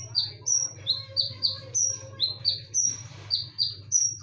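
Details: Konin singing as a lure call, sharp and ringing: rapid series of high whistled notes alternating high and lower pitch, a short breathy hiss near the middle, low hum throughout.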